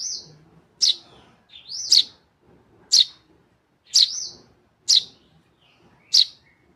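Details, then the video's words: Tame Eurasian tree sparrow chick calling actively: sharp, high chirps repeated about once a second, each a quick rising-falling note, in a quiet indoor setting. "Anakan burung greja jinak gacor"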